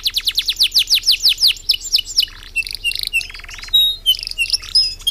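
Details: Canary in full loud song with long breath: a fast run of repeated downward-slurred notes, then varied buzzy phrases, short whistles and chattering trills, high-pitched and continuous.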